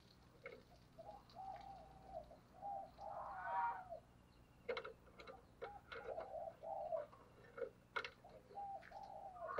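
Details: Caged decoy spotted dove giving rapid, eager coos meant to provoke wild doves. Low, rounded coo phrases repeat through the recording over a quiet background, with scattered sharp clicks and knocks.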